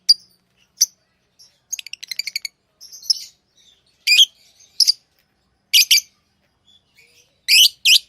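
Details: Tamed lovebirds mix a fast, rattling series of clipped notes with harsh, high chirps and closing paired squeaks.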